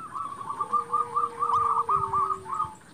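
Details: Local zebra dove singing to provoke rival doves, heard as a quieter, steady run of rolling, hooked coos over a soft sustained lower tone and faint background hiss.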